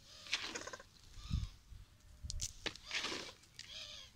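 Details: Green peafowl (subspecies imperator) on a peacock farm giving harsh, nasal, cat-like wails, two main calls about two and a half seconds apart, over low thumps and background noise.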